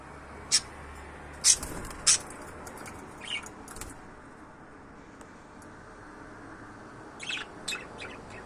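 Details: Pet budgerigars giving sharp, scratchy chirps in a loose burst of three near the start, then softer scattered chirps and a few more toward the end, with quiet background hiss between calls.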